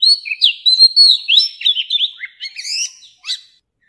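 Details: Mature wild Oriental magpie-robin song, used to coach young birds to sing. Melodious whistled notes and quick up-and-down slides pour out steadily, then thin into a few scattered, drier phrases before falling silent.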